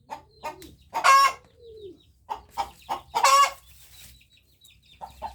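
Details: Hen crowing: two loud, harsh, drawn-out crow bursts about two seconds apart, separated by short clucking notes and soft murmurs.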